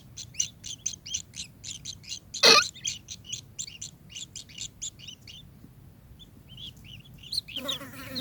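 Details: Kingfisher calling in a fast run of short, harsh, buzzy notes, several per second, broken by one sharp loud burst partway through and a noisy rustle at the end.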